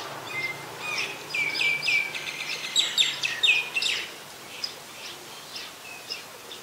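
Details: Common myna recorded outdoors in Ubon Ratchathani, Thailand, on 15 December 2020: a chattering run of short, flat, whistled notes and clicks, about two per second, peaking midway then fading into quieter scattered notes amid steady environmental noise.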